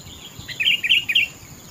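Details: Single sweet phrase from a sooty-headed bulbul (kutilang): three quick, warbling whistled notes in a row over faint background hiss.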